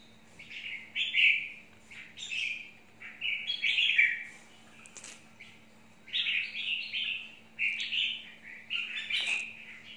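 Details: Chào mào mộc (red-whiskered bulbul) singing separate short warbled phrases at irregular gaps of one to two seconds. Some phrases are sharp and bright, others softer. A steady low hum continues throughout.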